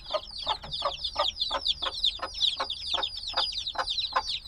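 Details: Few-day-old black chicks, still needing their mother's warmth, chirp in a crowded chorus of high, sharply descending peeps, over regular soft knocks about two and a half times per second.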